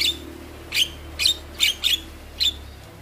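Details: Javan myna calls played to encourage lazy mynas to sing: five sharp, clipped squawking notes spaced about half a second apart over a low hum.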